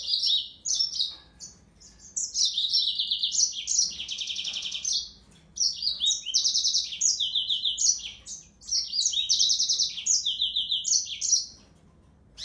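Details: Serinus mozambicus song: three long strings of quick chirps and buzzy trills jumping among several pitch levels, each string lasting several seconds, with brief gaps between them.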